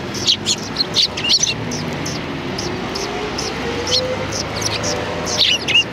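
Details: Sparrows welcoming arrivals outside a cultural hall, 7 February 2020, give scattered short high chirps every half second or so, over a low steady hum of passing traffic.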